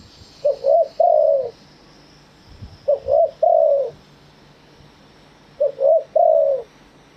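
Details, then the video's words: Thai spotted dove singing live in wild-style phrasing (kharm pa thae): three separate phrases a few seconds apart, each two quick short coos then a longer, louder coo that slides downward; steady high hiss behind. "เสียงนกเขาใหญ่ ขันสด คารมป่าแท้"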